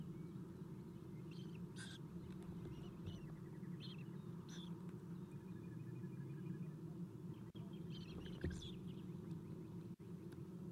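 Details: Eastern Screech-Owl owlets in a nest box being fed by an adult at 7:04 am on 4-11-2016; faint high chittering and short twittery bursts scattered through the clip over a steady low hum.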